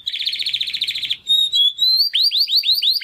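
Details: Timbrado canary brother practising song after first molt, born 2020: a fast even trill, a brief pure whistle, then a series of repeated upward-curving swept notes about five per second.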